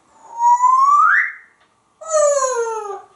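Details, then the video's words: Pet African grey parrot, male, kept indoors at home in Texas, perched on a glass enclosure: a clear whistle rising smoothly and sliding upward, a brief pause, then a second rich, slightly falling whistled note, in a quiet room. "Einstein speaks atop his glass castle"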